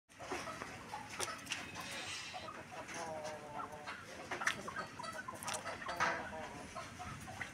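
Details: Young red golden pheasants hatched in 2024 give soft clucking and chattering calls in quick irregular bursts, with scattered sharp clicks and a faint hum of background noise.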